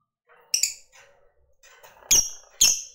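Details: Lovebird of the fighter type, a call meant to provoke other birds: short harsh high squawks, a double note followed by two louder shrill calls, with faint low murmuring between them.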